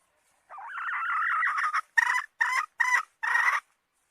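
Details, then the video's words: A hen's drawn-out, wavering squawk lasting over a second, followed by four shorter, nasal clucks spaced about half a second apart, in a quiet background. "Suab Poj qaib seev zoo heev"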